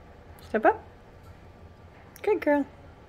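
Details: A female sun conure speaks two short bursts of harmonic, voice-like syllables about a second and a half apart in a quiet room, saying words such as step up, what and peekaboo.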